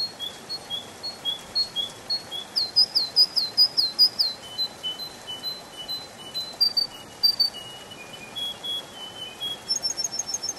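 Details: Spring-forest canary song: long, level whistled notes at two pitches, a burst of fast looping high phrases, then more whistles and a very high rapid trill at the close.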